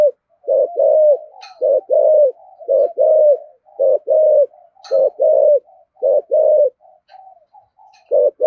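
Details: Repeated deep coos from a spotted dove sung in the thổ voice, thúc gù style: steady short-then-long hollow pairs roughly once a second, linked by softer murmured notes, with occasional faint clicks.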